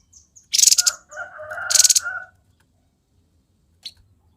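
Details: Grey-headed babbler song in the 'konslet' style: a high rattling burst into a hoarse, lower warbled phrase with a second buzzy burst, then silence and a single faint chip.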